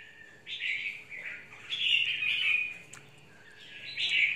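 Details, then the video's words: Red-whiskered bulbul ('mộc' bird), very excited in its cage, giving drawn-out, fluid warbling phrases with brief breaks. "Chào mào mộc VIP"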